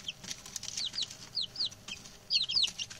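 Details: Newly arrived male chicks, six together, peeping: thin high notes that dip downward, scattered then bunched into a loud pair of calls near the end, with soft scratching noises.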